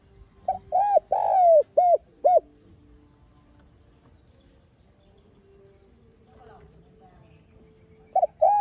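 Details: Lure spotted dove calling to stir other doves. One phrase of five hollow coos, including a long sliding middle note, is followed by a long silence with faint background hum. A new phrase begins at the end.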